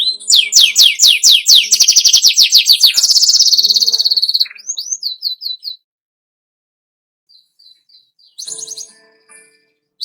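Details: Captive canary singing, meant to stimulate other birds to sing; a fast high rolling trill and buzzy run, then short whistled notes, a pause and a few soft chips.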